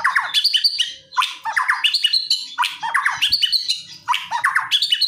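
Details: Aggressive white-rumped shama song full of rapid 'shots', meant to provoke a silent shama into answering: bright phrases of quick descending and rising notes, repeated roughly every second with brief pauses.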